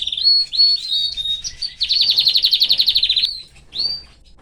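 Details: Male canary in a cage with his family, warbling a few quick whistled phrases, then a loud rapid trill of evenly repeated notes lasting over a second, finishing with a single rising whistle after a short gap.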